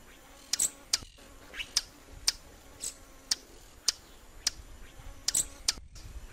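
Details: Swallow-tailed hummingbird uttering clean, sharp, high-pitched chips every half second or so, a few doubled, over faint low background hum.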